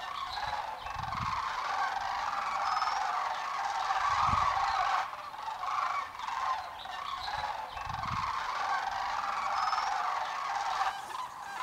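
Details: Migrating sandhill cranes gathered by thousands in Pacific flyway farm fields of Oregon and Washington; steady wall of overlapping rattling calls, a few clearer bugles, and recurring low thumps, possibly wind.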